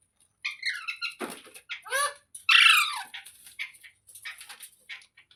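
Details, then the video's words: Parrot chattering busily with rapid squeaky notes and rasping squawks, one louder harsh burst near the middle. "Funny Parrot Sounds Videos | मिट्ठू की आवाज़ | तोते की आवाज़"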